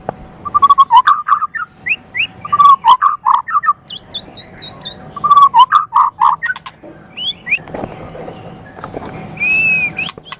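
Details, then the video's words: Medan white-rumped shama of champion quality singing to stimulate other birds: bursts of rapid low whistled and chattering notes with clicks, pauses, and a final drawn-out whistle. "Suara Murai Batu Medan Juara Kualitas Super, paling pas untuk terapi gacor"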